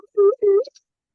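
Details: Pectoral sandpiper display flight call from the breeding tundra at Barrow, given as birds inflate their chests into a barrel-chested display: two deep, hollow hoots of about a fifth of a second each, played back through a speaker.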